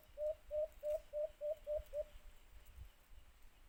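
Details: White-eared brown dove, locally alimokun, near a cage trap: seven rapid, low hoots strung evenly over two seconds, followed by faint background rumble.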